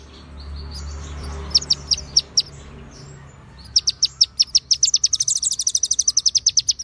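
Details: Tutor song of a konin white-rumped shama with ciblek and cililin fill-ins: a few spaced sharp chips, a pause, then quickening high chips that merge into a dense, rapid trill.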